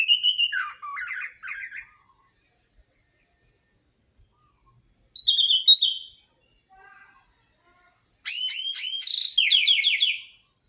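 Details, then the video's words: Orange-headed thrush singing in a lure recording for stimulating birds: separate bursts of sweet downslurred whistles and quick twittering notes, with long silent gaps and a faint soft call in between. "Pancingan anis merah paling ampuh dijamin burung manapun akan ikut bunyi gacor ngeplong"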